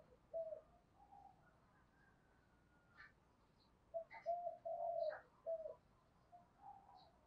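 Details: Spotted dove used as a decoy bird, said to have the 'giọng thổ' voice style. Faint, low hollow coos: a short two-note start, then a longer grouped phrase near the clip's end, over a soft hissing background.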